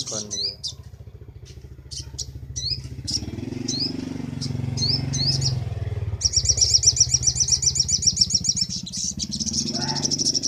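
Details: Sunbird master song for training birds: scattered rising chips, then a long rapid buzzy trill, heard over a loud droning engine rumble.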